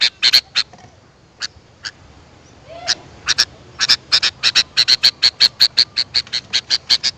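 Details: Sooty-headed bulbul recording played to attract wild birds: scattered harsh chattering notes at first, then a fast steady run of short buzzy bursts with a sharp tonal accent, roughly three per second.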